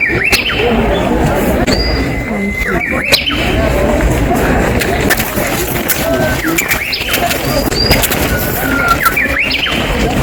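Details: Two full songs of a Japanese bush warbler in the Tenryu-ji temple garden, Kyoto, April 6, 2023: each a sustained whistled tone ending in a sharp, rising and falling flourish, about six seconds apart, over murmuring visitors and distant hum.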